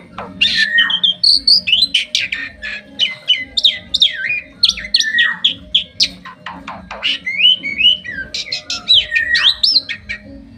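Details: Bali myna, a kept bird from Bali, singing while perched on its owner's hand in 2023: a dense run of varied whistles, sharp chips and upslurred notes with a faint low hum beneath.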